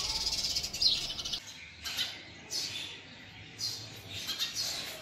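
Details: House sparrows chirp in harsh, excited bursts while building a nest in a house and fighting over it, a dense run at first, then short clusters every second or so.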